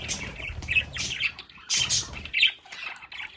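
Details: Pet budgerigars in a home play area give bursts of scratchy squawking chatter and chirps. Low rustling and handling noise runs underneath, with a quieter pause midway.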